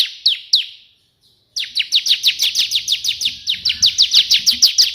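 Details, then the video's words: Bar-winged prinia 'tembakan' burst song, energetic and meant for tutoring: two isolated sharp notes, a silent gap, then a long steady run of about twenty rapid, downward-sweeping high notes. "burung ciblek gacor versi tembakan perenjak putih cocok untuk masteran"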